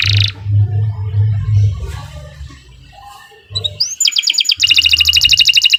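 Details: Canary song recorded as masteran for training: quiet with low hum at first, then a rising whistle opening into a rapid, evenly pulsed trill of bright notes repeated about three times a second.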